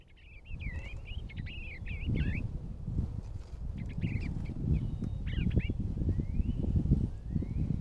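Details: A bluebird at nest box #1 on 2 March 2023 gives soft, warbled chirps in quick clusters of short rising and falling notes, over a steady low rumble of wind or handling noise.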